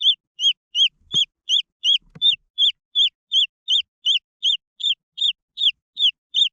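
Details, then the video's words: High, piercing peeps from green junglefowl chicks, each note swelling up and falling away, given in a rapid regular series of about seventeen notes, with two brief soft knocks in the background. "The Sound of jungle fowl chicks"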